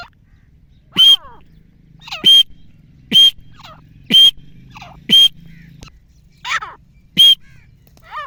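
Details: Grey francolin in a hunting call: loud, shrill, piercing notes repeated about once a second, each a short harsh burst, with softer descending squeaks between them and a low background hum.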